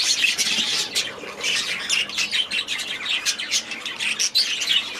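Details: Budgerigar (Melopsittacus undulatus) flock chattering nonstop in an aviary: high, scratchy warbles and squawks overlapping in a busy, bright stream of sound.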